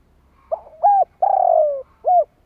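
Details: Spotted dove calling to entice wild doves: a quiet rough opening note, a rounded coo, a sustained buzzy coo slowly falling in pitch, then a last rounded coo.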